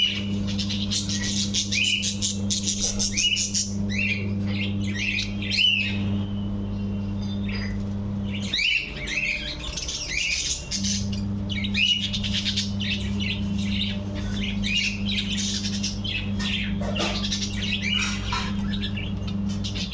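Several budgerigars chatter together in quick, warbling chirps and squawks over a steady low hum.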